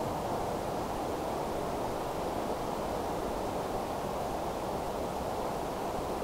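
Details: Constant rushing wind and microphone buffeting fill the scene in open countryside, with no animal call audible.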